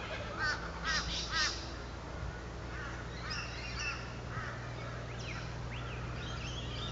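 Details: Little friarbird recorded on 6 August 2011: three harsh, nasal, down-slurred notes in quick succession at the start, followed by fainter scattered calls of other birds over a steady low hum.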